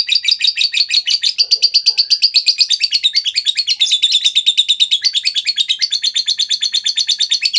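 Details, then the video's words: Lovebird giving a long ngekek, used as a lure and training tutor for other lovebirds: a sustained, loud, rapid chatter of harsh high notes repeated about three per second for over seven seconds. "suara burung Lovebird terbaik buat memancing burung Lovebird dan masteran"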